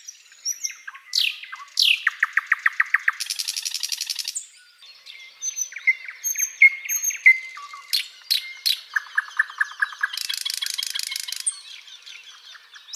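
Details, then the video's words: Long flycatcher tutor recording: sweeping whistles, rapid even rattles and dry buzzy trills alternate with scattered whistled notes and chirps, the rattles repeated at a fast steady pace. "SIKATAN LONDO || MASTERAN BURUNG"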